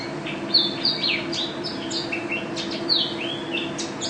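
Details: Pleci, or Mountain white-eye, a first-place national contest bird, delivers a dense high twittering song of sharp whistled slurs and chips, marked 'gacor' with 'teler' and 'ropel' phrasing; steady low hum beneath.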